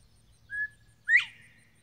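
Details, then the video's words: Northern bobwhite calling from a slash pile: a short flat whistle, then a louder, quickly rising whistled note, clean and isolated with only faint low rumble behind. "Beautiful Bobwhite Quail Singing"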